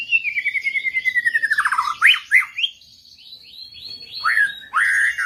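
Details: Murai, another bird joining in persistently in response to a master recording used as a lure: a long run of rapid repeated notes slurring steadily downward, then sharp rising-falling whistles and bright rising notes, in a quiet setting.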